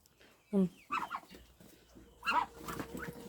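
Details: Three-month-old domestic ducks, females, give bursts of short, squeaky, nasal peeps, rising and thin, while a person talks nearby; drakes do not make this sound, only hiss.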